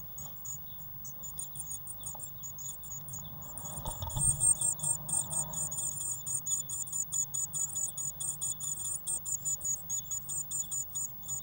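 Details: Eurasian blue tit chicks in their nest box, 1 June 2016: quiet at first, then a shuffling bump and a surge of shrill, rapidly pulsed high squeaks that continue strongly and evenly to the end.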